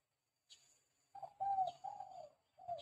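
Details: Spotted dove in lively calling form, recorded as a lure for doves: a run of three moderately loud, slightly hoarse coos that sag in pitch, with a faint high hiss and a short coo at the end.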